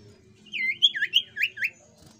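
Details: Jungle flycatcher song played as a lure to trigger other birds: a brief burst of five or six sweet, looping whistled notes, some rising and some falling, over a low steady background hum.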